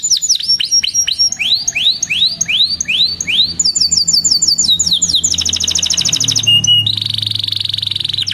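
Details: Canary song for training young canaries: a run of sweeping downslurred whistles slowing into longer swoops, then crisp high trills and a dense buzzing roll near the end.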